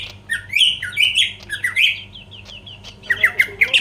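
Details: Greater green leafbird in full song to trigger rivals, giving squeaky, scratchy slurred notes and short chattering phrases in an uneven rhythm, with a low background hum.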